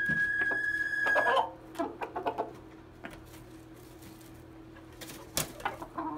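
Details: Red junglefowl facing a domestic chicken: the loud, high, even end of a crow lasting over a second, then quieter clucks, taps and a persistent low hum.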